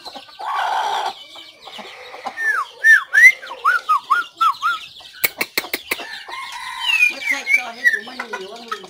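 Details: White-rumped shama recorded on 17 April 2024, singing varied clear whistled phrases with falling and rising slurred notes, interrupted midway by several sharp clicks or knocks, then resuming with higher whistles and a softer low warble.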